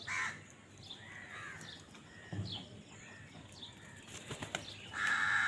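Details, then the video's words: Crows fighting for food give a short, harsh caw at the start and a louder, rough, drawn-out caw at the end. Wing flaps and scattered bird chirps come between them. "কাকের ডাক Crow Sound Crow ki Awaz Loudly | Crow bird Fight for Food"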